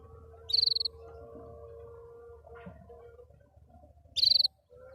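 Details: Happily singing canary: a quick pulsed high trill, then after a few seconds another matching burst, set against a low background hum and light noise.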